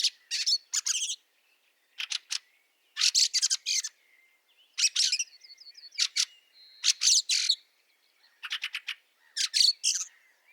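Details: Snowy March 2023 scene in Liepāja, Latvia: a Fieldfare repeats coarse, clipped chack-chack bursts roughly every second, while a faint rapid series of short whistled notes sounds midway.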